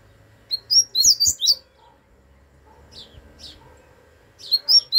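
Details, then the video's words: Double-collared seedeater singing: quick bursts of high, sharp twittering notes packed into a phrase of about one second, a short pause, then another burst starting near the end, with faint low background hum. "coleiro grego"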